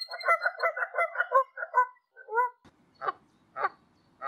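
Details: Canada geese in flight over a wide landscape in Canada: a fast run of double honks, then a few softer calls, followed by three separate harsher honks spaced about half a second apart.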